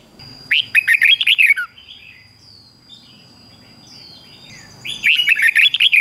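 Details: Red-whiskered bulbul, a bird kept to train morning singing, giving two bursts of quick, bubbly, rising-and-falling whistled notes about four seconds apart, with a steady high electronic tone and faint softer chirps between.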